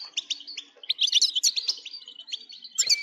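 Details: Energetic goldfinch song for stimulating singing: clear twittering notes building into a dense, liquid, buzzy jumble, ending with a sharp rising chirp.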